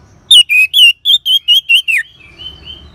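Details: Ngeban song of an orange-headed thrush, played so caged birds sing: a run of eight ringing whistles at a steady fast pace ending in a falling slur, then softer rising whistles over low hum.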